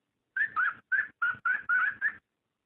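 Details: Cockatiel mating sound used to prompt breeding: seven quick, evenly spaced whistled notes in under two seconds, each bright and slightly rising or wavering.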